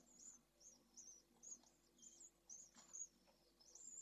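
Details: Pallid swift chicks, three nestlings in a nest box at Jerez, Spain: faint high thin chirps repeated about twice a second, each a short squeaky note, over a low steady hum.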